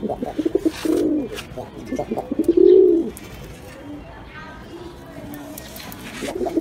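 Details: Pigeon giving low, throaty coos, one swelling note near the first second and a louder drawn-out coo in the middle, broken by short clipped notes and quieter stretches.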